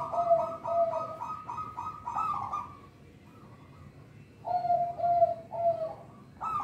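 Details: Local zebra dove (perkutut) singing, used as a lure to train young birds that sing too little: a run of soft, low, evenly spaced coos, a pause, then another quick series of rolling coos over faint background hum.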